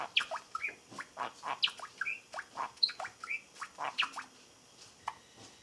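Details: A roughly four-month-old male Java sparrow, perched on one leg, practises its song: a quick run of about twenty dry clicks and bright, bell-like chirps, several notes each second. The background is quiet.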